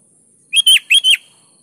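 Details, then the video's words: Gacor-style song of a sooty-headed bulbul, used to prompt lazy kutilang to answer: after brief quiet, a rapid phrase of four loud, clear whistles, the second and fourth slurring downward, finished within about seven tenths of a second. "KUTILANG malas Ikut GACOR di PANCING SUARA BURUNG KUTILANG GACOR ini"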